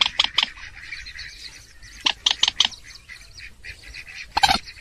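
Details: Purple swamphen giving the 'trích ré' call, used as a lure for trapping: harsh, nasal squawks in quick bursts of three or four, with softer scratchy notes between the bursts.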